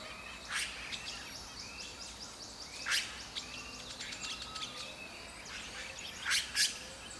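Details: Red-rumped cacique in Brazil's Atlantic Forest; sharp, loud broadband notes stand out at irregular intervals over softer chirps and short rising whistles from other birds.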